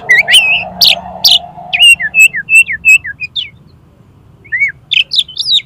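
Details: Oriental magpie-robin song used for tutoring and provoking competition birds: loud whistled notes, some buzzy, with sharp downslurs, then a run of short repeated rising-falling whistles and a brief pause before a final burst of high chattery notes.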